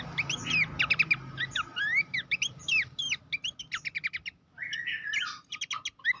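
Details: Abbott's babbler, a master recording for training competition songbirds, singing dense rapid strings of clipped whistles and chattering notes with a brief pause near the middle, then renewed bursts.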